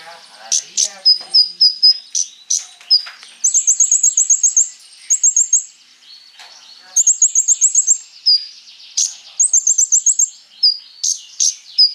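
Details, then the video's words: Konin singing a full, varied song, played as a lure to get Kolibri Ninja birds to answer and sing. High, thin chips and sharp notes alternate with fast trilled bursts of even clicks, each burst about a second long and repeated several times. "KONIN GACOR FULL ISIAN MENTAL BAJA COCOK BUAT PANCINGAN KOLIBRI NINJA PASTI NYAUT IKUT BUKA PARUH"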